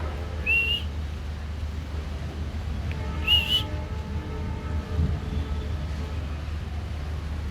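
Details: A cockatiel gives two brief, bright rising whistles a few seconds apart over a low steady hum.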